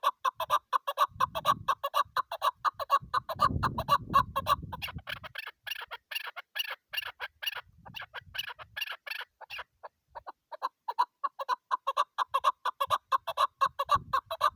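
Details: Female chukar partridge giving a long, steady run of short clucking notes, repeated about twice a second with slight variation. Brief low rumbling noise intrudes near the start.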